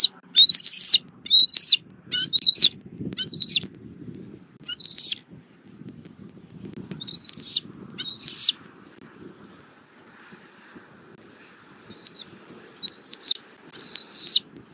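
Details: Bald eagle family gathered at the nest tree in Southwest Florida on a nest camera, late afternoon of 19 April 2024: strings of high, thin whistled notes with slight rising inflections, given in bursts across the first half and again near the end, over a low rumble.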